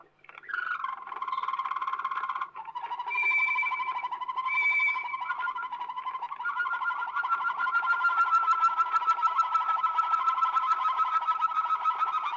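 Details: Waterslager canary from an old Belgian record: deep, bubbling water-like rolls near the low end, brief clear whistled notes, then a long sustained trill of rapid pulses building in loudness.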